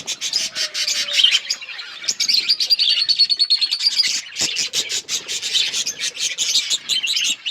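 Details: Many budgies chirping on February 18, 2024: busy, high, twittering chatter with quick scratchy notes, a thin sustained whistle drawn out in the middle, and a faint lower gliding tone early on.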